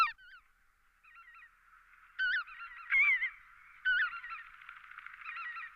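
Lesser white-fronted geese give high, squeaky yelping honks in loose bursts, several birds overlapping, with a background murmur of more distant flock calls.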